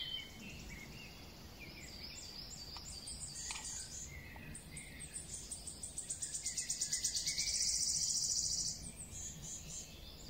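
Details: Wood warbler song. Scattered high notes build into a fast, high trill that swells and then stops abruptly after about three seconds. Other woodland birds call in the background.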